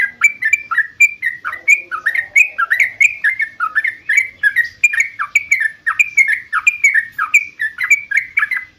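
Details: Energetic yellow-vented bulbul song meant to get caged birds answering: a long, steady stream of bubbly, warbling notes, rising and falling, about two phrases per second.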